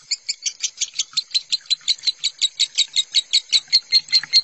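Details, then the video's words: Lovebird minor-style song meant as a tutor recording for lovebirds, with water sound therapy: steady fast chirping, high-pitched notes repeated roughly three times a second, even and loud. "Suara lovebird minor masteran lovebird konslet"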